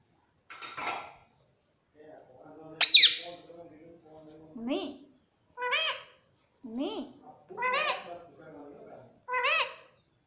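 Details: Indoor talking parrot repeating "mummy" again and again: short two-part voiced syllables that swoop upward, spaced about a second apart, with one sharp shriek early on and a quiet room behind.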